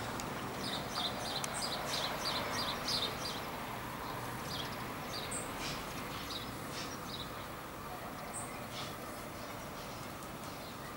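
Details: Fieldfare, recorded 23 July 2015, gives dry, harsh chattering notes in quick bursts, loudest in the first few seconds, over a steady roar of wind or distant traffic.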